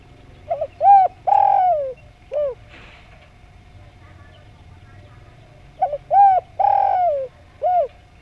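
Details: Javanese spotted dove singing actively: two phrases of mellow low coos, each two short notes, a long drawn cooing note falling at its end, then a short closing coo, with a faint steady hum behind.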